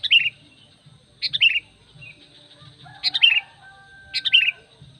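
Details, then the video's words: Sooty-headed bulbul lure call for attracting other bulbuls, four brisk chirpy phrases of tumbling bright notes about a second apart, with faint thin whistles in the gaps and a soft low hum beneath. "SUARA PANGGILAN PIKAT KUTILANG MENGGARUDA"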